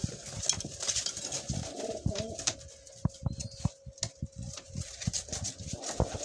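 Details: Young pigeons heard indoors: a steady low cooing tone held for about two seconds mid-clip, amid repeated soft thumps, rustling and wing flaps, with brief high squeaky notes.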